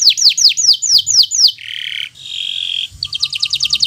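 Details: Local canary, bottle-green, singing as a master for learning birds: seven loud descending swoops about every quarter second, then two buzzy rolls and a quick high trill of repeated chirps.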